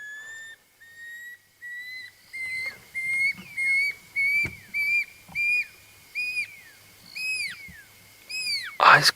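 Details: Pearl-spotted Owlet whistling at sunset on a wild African drive, owls calling to one another in territorial calling or to attract a mate. A long level whistle, then about ten rising, down-curving whistled notes roughly a second apart, growing louder, ending in a sharp knock.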